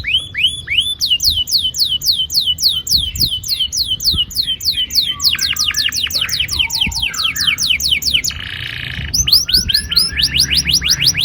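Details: Canary long rolling song intended to get young canaries singing: sustained runs of rapid sliding whistles in several phrases, with a brief buzzy break before the final fast series.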